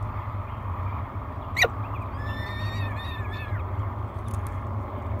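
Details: One of three hungry peregrine falcon chicks at Great Spirit Bluff, 24 May 2022, gives a short series of thin, wavering wails after a loud sharp knock, low hum throughout.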